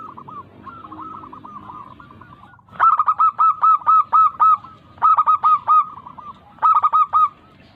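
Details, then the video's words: Local zebra dove cooing, meant to stimulate lazy doves to sing: a quiet rolling phrase, then loud groups of five to seven rapid, evenly spaced coos, with brief pauses between groups. "Pancingan Ampuh perkutut lokal Bikin Yang malas langsung Gacor manggung Merangsang supaya bunyi"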